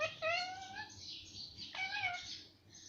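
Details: Mummy and papa talking parrot: a long, steady, slightly rising harmonic vowel, a short pause, then a second similar drawn-out word, with breathy hiss in the upper range.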